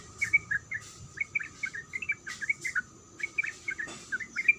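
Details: Softer calling of a female sooty-headed bulbul to a male, short chirped kuik phrases in small groups separated by brief gaps, with a persistent high-pitched hum and occasional faint clicks.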